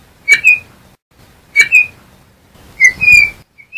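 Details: Song of the Yellow-backed Oriole (Icterus chrysater): three short whistled phrases about one and a quarter seconds apart, each a quick pair of rich notes, over a faint low rumble in the background.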